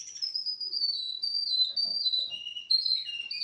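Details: Four-month-old Russian canary delivering pure, drawn-out whistles that slide gently down and up in pitch, with brief soft rustling underneath.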